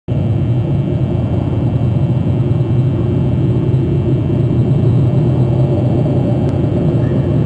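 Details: Loud, continuous low rumble like traffic or engines, with no animal calls.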